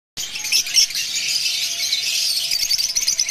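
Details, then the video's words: Several mutation lovebirds give a dense, continuous chatter of high, scratchy chirps all at once, with a faint steady hum underneath. "love birds chirping"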